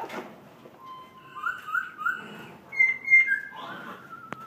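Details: Laughingthrush from Vietnam in forest-voice song: a string of pure whistled notes stepping upward, then a higher held whistle and a few falling slurs, ending with a sharp click.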